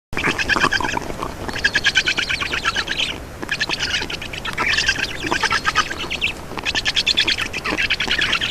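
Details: Black stork chicks begging at their nest in Estonia as an adult feeds them, 2 June 2019, mid-afternoon; harsh, rasping, pulsed squawks in dense bursts, with brief pauses near three and six seconds.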